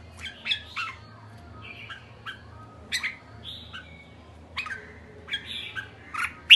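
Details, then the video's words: Red-whiskered bulbul in kekek call, softer and more distant, with spaced, abrupt chirps and short slurred whistles separated by pauses over a low steady hum. "Merbah jambul kekek"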